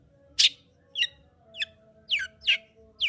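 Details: Long-tailed shrike song to get a quiet shrike singing: spaced, harsh, downslurred chirps, one every half second or so, over a faint steady hum.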